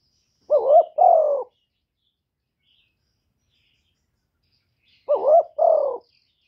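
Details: Spotted dove kept as a decoy bird, cooing in the 'gáy gù' style: two low, mellow, two-part coo phrases about five seconds apart. Each phrase has a quick wavering note, then a longer falling one. Silence around them.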